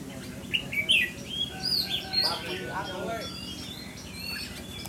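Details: Caged red-whiskered bulbul with traits described as 'mơ mặt' face and 'mí lửa' fiery eyelids, being tested for temperament; clear whistled and warbled phrases, rising and falling, in short bursts over the first half, with a person speaking in the background.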